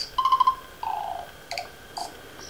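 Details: Tui (Prosthemadera novaeseelandiae), song.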